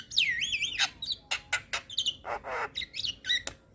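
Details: Young Javan myna singing energetically in a training-style recording with many mimicked fills: rapid warbled whistles sweeping up and down, broken by harsh squawks and short buzzy bursts in quick succession.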